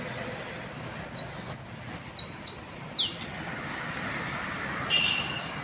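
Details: In the Las Delicias valley a canario basto gives seven rapid, high, falling whistled notes within three seconds, then stops, leaving quiet background with one faint later note.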